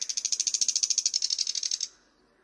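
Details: Thrush nightingale in song, giving a fast dry rattle of about twenty rapid high notes over almost two seconds before stopping abruptly.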